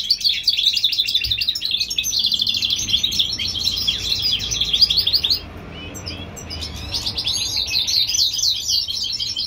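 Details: Springtime singing by a European goldfinch hybrid in California: dense, fast chirping twitter for about five seconds, a quiet moment, then the jingling song resumes.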